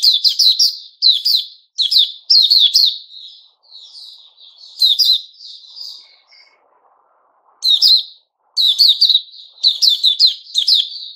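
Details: Puteh Raja white-rumped shama in 'buka' singing, 29 August 2021: energetic clusters of piercing whistles and scratchy trills, then a quieter stretch of soft warbling before loud phrases resume in quick succession.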